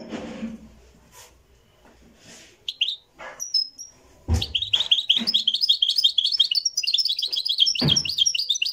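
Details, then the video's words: Live recording of a Moroccan goldfinch revival-style song: low voices and a few isolated chirps give way to a sustained, rapid stream of high, chattering twitters. "تغريد الحسون المراكشي"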